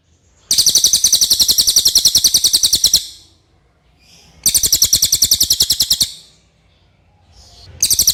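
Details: Common iora, clear song offered as tutor material for training other songbirds: loud, rapid buzzy trills of high repeated notes, each burst about two and a half seconds, separated by short pauses, no other sounds.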